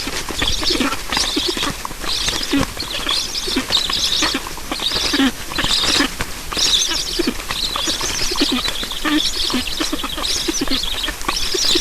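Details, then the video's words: Estonian black storks at the nest during feeding, recorded 9 July 2019 at 7:15: dense, repeated raspy chattering calls in pulsed bursts about every second, steady and loud throughout. "Estonian Black Storks - Feeding"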